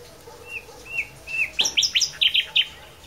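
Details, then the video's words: Blackbird singing: three short slurred whistles spaced about half a second apart, followed by a quick run of seven or eight sharp, high twittering notes. "singing blackbird"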